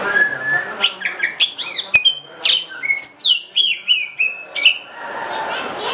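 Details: Greater green leafbird singing a varied run of clear whistled notes, some slurred downward and others rising, with sharp chirps and a single click near the two-second mark over faint room noise.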